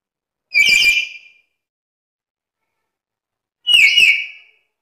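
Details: Black-capped lory, described as chatty, lively and able to talk, giving two loud, harsh squawks rich in overtones about three seconds apart, with silence between and no other sounds.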